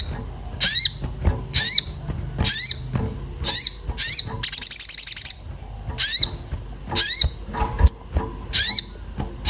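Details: Orange-bellied flowerpecker, excited and seeking a mate, used to provoke birds to sing: high sliding chips repeated roughly once a second, broken by a fast buzzy trill lasting about a second midway.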